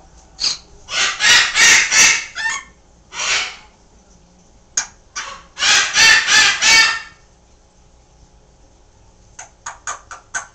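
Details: A green-winged macaw, kept as a pet, calls loudly from another room while a Timneh African grey chats and clicks nearby: harsh, raspy squawks in two bursts of four or five screeches, then a few short, sharp chips near the end.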